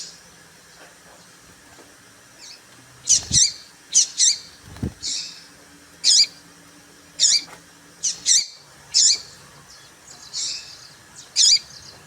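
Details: Papa-capim seedeater female calling, a sound used to stir up males: rapid high-pitched squeaky chirps, often in quick pairs, repeated roughly every second, with a few low thumps and quiet hiss between.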